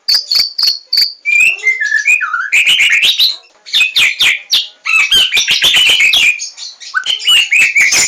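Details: White-rumped shama singing loudly and continuously: fast, varied phrases of sharp high chips, whistled slurs and rich warbled notes, with quick changes of pitch and brief pauses between bursts.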